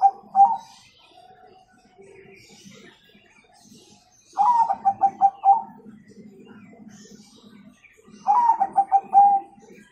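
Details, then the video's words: Zebra dove, Bangkok-type bird, singing a lively nggayer-style song with the prized kung tone, used as a master recording to train young birds: two bursts of rapid, pulsed, mellow cooing about four seconds apart, with soft lower cooing continuing between them. "Pancingan Perkutut Gacor Nggayer Paling Cepat Jadikan Perkutut Bakalan Ikutan Nyaut Gcor"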